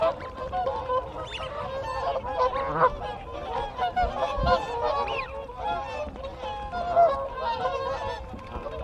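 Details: A group of whooper swans calls to keep in contact, heard close: rough, brassy honks rising and falling in a steady babble, with distant wigeon whistles and Canada geese honking.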